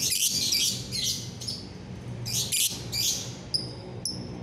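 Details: Bright-morning gacoran from a lovebird, 30 November 2021: rapid rasping high chatter in quick bursts, ending with two thin clean whistled notes, over faint low background hum.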